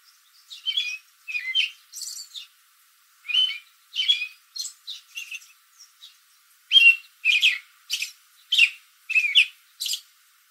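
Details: American robin calling from a backyard tree in the late afternoon while other robins answer; bursts of sharp, squeaky chirps in short runs, pausing briefly before a quicker closing series.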